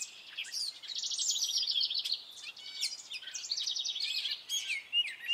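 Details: Male gray catbird singing in spring, a rapid varied run of short squeaky, buzzy and chattering notes, some repeated, with quick slurred whistles mixed in, continuous and jumbled.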